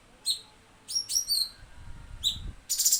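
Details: Cucak cungkok in full tembakan song style, a tutor recording for songbird training; sharp high chirps and downslurred notes in short bursts, ending in a harsh buzzy rattle, with faint low rumble behind.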